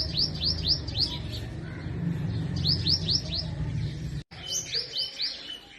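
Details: Spring song of an Asian purple sunbird in forest trees of north-west Pakistan: short runs of four or five sharp, high arched chirps, pausing between runs, with a constant low hum in the background.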